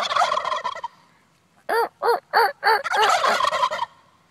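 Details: Wild turkeys near a house respond to mouth-made hen calls: a burst of harsh gobbling, then four loud, evenly spaced rasping yelps, followed by another rough gobbling chorus.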